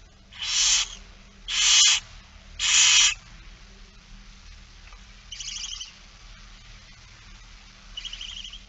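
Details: Barn owl at a feeding in Friesland, the Netherlands, on 8 September 2019 around 16:02: three loud, harsh hissing screeches of about half a second each, followed by two fainter, shorter rasping calls.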